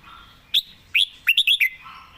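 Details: Red-whiskered bulbul singing from its perch with quick, skilled phrasing: a sharp upward whistle, a pause, then a rapid run of four or five looping whistled notes.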